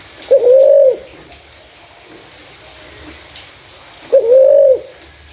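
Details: Spotted dove with a clear voice, suitable for luring other doves. Two separate level coos, each starting with a quick upward kink, separated by nearly four seconds of quiet background hiss.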